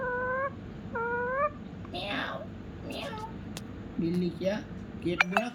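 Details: Two short, rising, harmonic meows come from a rescued pet ringneck parrot imitating a cat indoors. Its owner's voice follows, along with handling noises and clicks.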